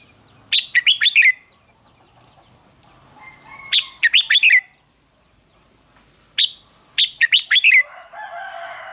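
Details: Red-whiskered bulbul contest singing meant to push other birds into song: three similar bright, warbling whistled phrases of four or five slurred notes, each ending on a downward note, spaced about three seconds apart over low background hiss.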